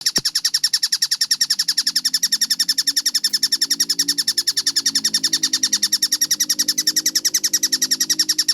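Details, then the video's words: Kingfisher, known locally as tengkek buto, in a clear, fast-paced training recording: a steady stream of sharp, bright, harsh notes repeated several times per second without pause, with a faint low hum underneath. "MASTERAN TENGKEK BUTO GACOR SUARA JERNIH SPEED RAPAT"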